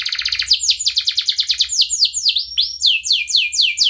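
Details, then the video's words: Canary song played to help juvenile canaries learn: a fast, tight trill opens, followed by a stream of clear downward-sweeping and dipping whistles repeated several times a second. "kenari gacor panjang Cuit Cuit EMOSI, Pancingan Kenari Paud Belajar Bunyi"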